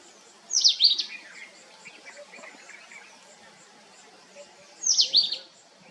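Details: Family group of sunbirds: a loud rapid cluster of high, down-slurred chips, soft twittering, then another bright burst about four seconds later, over insect hiss.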